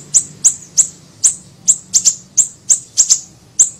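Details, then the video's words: Small siri-siri bird on a lure recording: clear, very high chips repeated roughly every third of a second, now and then in quick pairs, over faint background hum. "MASTERAN PANCINGAN PIKAT SUARA BURUNG SIRI SIRI KECIL"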